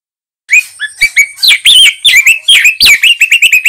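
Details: White-rumped shama, a young speckled male, in continuous rich song for tutoring young birds: varied loud whistles, slurs and rapid chirps packed closely together without pause.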